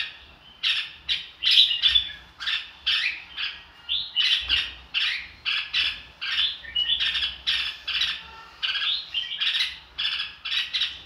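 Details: Red-whiskered bulbul singing a "ro kích" style song meant to prompt newly caught birds to sing along: rapid series of loud, harsh chattering bursts, roughly two or three each second, steady throughout.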